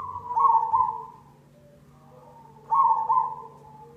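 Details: Black cemani zebra dove cooing as lure audio to make doves sing: two loud rolling, trilled phrases about two and a half seconds apart, separated by faint soft coos, with a steady low hum.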